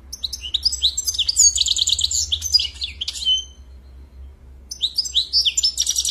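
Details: European goldfinch singing a lively phrase of rapid tinkling and buzzy notes that runs for over three seconds, falls silent briefly, then starts again, over a faint low hum.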